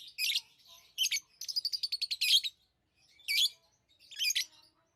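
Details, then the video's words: Lovebirds chirping: harsh, high-pitched squeaky chirps in short bursts, with a rapid run of about ten clipped notes in the middle, then two more separate chirps after a pause. "Love birds Sounds | lovebirds chirping sounds"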